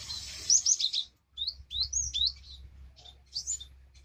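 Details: Java sparrow, sound used to prompt a quiet bird to sing; a quick cluster of high chirps, a brief gap, then several rising and falling tweeted notes spaced about half a second apart, with low background hum.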